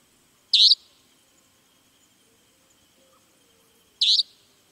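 A savanna nightjar gives two short, harsh, buzzy notes, rather crow-like in tone, about three and a half seconds apart, with quiet between.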